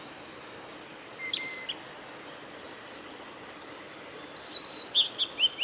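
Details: A male Blue-and-white Flycatcher sings at Kanazawa forest road, Lake Miyagase, on 17 May 2020: high clear whistled notes, first a few spaced phrases, then a quick run of bright slurred notes near the end, over steady background hiss.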